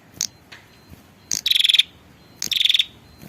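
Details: Female prinia call meant to attract the male: two rapid rattling trills about a second apart, each introduced by a sharp high tick.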